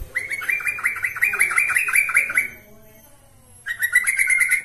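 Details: Trucukan, the yellow-vented bulbul, in an energetic lure song for training birds: a long run of fast chattering, bubbly notes for over two seconds, a pause, then another rapid warbled phrase.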